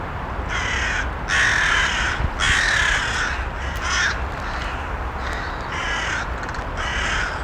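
Crows give harsh, rasping caws in a loose series, roughly one every second, over a steady low background rumble.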